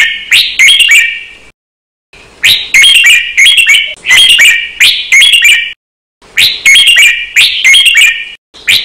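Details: Red-whiskered bulbul training song for cage birds, a fast doubled counted-phrase style: loud bursts of bright warbled notes with quick sharp strokes, phrases about a second long in groups, separated by short silent gaps.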